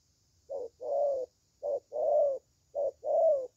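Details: Spotted dove in good voice, giving low, soft cooing in three short-then-long pairs, a brief coo followed by a longer rolling one, each pair about a second apart, with faint high hiss in the background.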